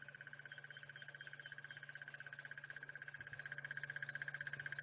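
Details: A crested barbet in South African savanna bush at sunrise, seen from a safari vehicle, gives a long, even, buzzing trill of fast pulses at one mid-high pitch, like a ringing alarm clock or crickets, over a low engine hum.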